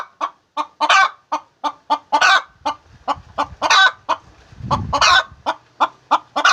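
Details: Cackling hen laying eggs, repeated abrupt clucks with longer rasping squawks between them, and a low rumbling thud in the background midway.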